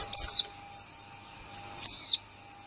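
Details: Female white-eye, newly acquired in 2020, producing two loud, high, smoothly falling whistled 'líu' notes under two seconds apart, with faint high twittering and a steady low hum.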